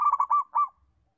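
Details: Local zebra dove used as a master recording to train other doves to sing: a rapid run of soft rolling coos near one pitch, five notes within under a second, the last one longer, then quiet.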